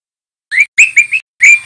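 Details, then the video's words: Young spotted male white-rumped shama in full song, used as master audio for teaching juvenile birds: short, bright chirped whistles in a quick broken series of four notes, a brief pause, then two more, against silence. "Suara Murai Trotol Jantan GACOR"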